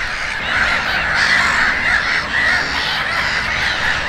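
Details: Gulls calling at Konstancin-Jeziorna, Poland: overlapping, rough, mid-pitched cries run almost without pause and swell and fade every second or so, with a steady background hiss.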